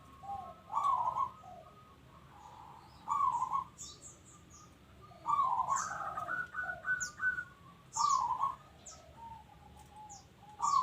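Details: Local zebra dove singing repeatedly: loud trilled, rolling coos every two to three seconds with softer coo notes between, accompanied by small high chirps and clicks in the background.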